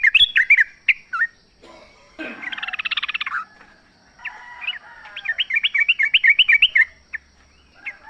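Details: Energetic song of a wild sooty-headed bulbul: mixed chirps, a buzzy rattling burst, then a long run of springy, rising and falling notes repeated quickly and evenly.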